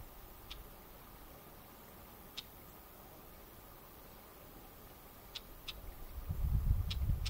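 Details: Red-backed shrike, upset at intruders in its territory on a floodplain meadow by the Neman River, Minsk Region, Belarus, gives sharp, dry 'chek' notes, single or in quick pairs, while flicking its tail; a wind rumble builds.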